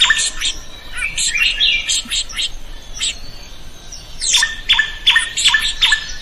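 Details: Drongo heard as master song for other birds: scratchy high twittering and chatter, then a fast rhythmic series of stacked buzzy notes with looping whistles.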